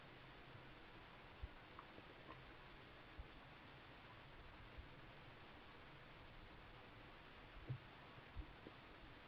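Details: Quiet hiss inside a kestrel nest box, broken only by a few soft knocks and thumps.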